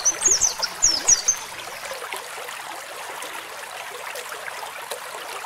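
An Oriental white-eye gives a brief burst of very high, thin, rapid twittering notes. A steady watery hiss fills the rest of the clip.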